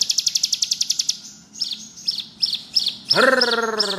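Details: Bar-winged prinia in lively ngebrem song: a fast run of sharp high ticking notes, then spaced buzzy high chirps about three per second, joined near the end by a lower harmonic, wavering series of notes.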